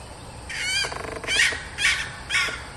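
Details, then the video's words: A red junglefowl hen (decoy hen call) gives a buzzy rattling note, then three harsh, raspy squawks about half a second apart, over a faint background hiss. "เสียงไก่ต่อตัวเหมีย เสียงต้อย&ขัน"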